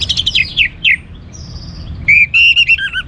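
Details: Orange-headed thrush singing loudly to stimulate other birds; a quick falling series of chirps, a thin high whistle, then a string of clear looping whistled notes.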